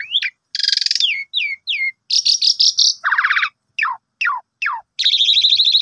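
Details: Morning song of an Asian pied starling: loud harsh buzzy bursts mixed with short descending whistled slurs, some notes repeated three times, and a final rattling buzzy phrase.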